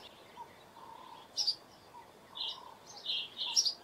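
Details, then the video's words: A house sparrow gives short, bright chirps, a few clustered together and irregularly spaced, over faint lower background twitters. "House Sparrow Call"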